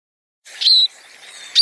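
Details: Scaly-breasted munia calling: a high, thin, drawn-out whistled note, followed by a fainter faint tone and a second sharp high note at the end, against a quiet background.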